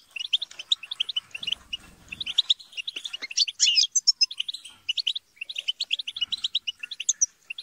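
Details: A flock of European goldfinches bickering and chattering, meant to stimulate singing: continuous quick tinkling chirps, a louder buzzy flurry past the middle, and a soft low rustle near the start.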